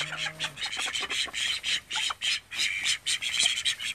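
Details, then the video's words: Call ducks, thirteen kept at home, give a rapid run of short, harsh, nasal quacks in uneven bursts, loud and bright, with a brief low steady hum at the start. "コールダック 我が家の13羽の天使たち 3 callducks 13 angels in my house 3"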